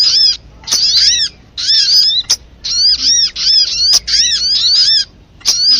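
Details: High-pitched sunbird lure chatter (sogok ontong) used to provoke singing: bright, strident chirp clusters in rhythmic bursts, each about half a second, with short breaks.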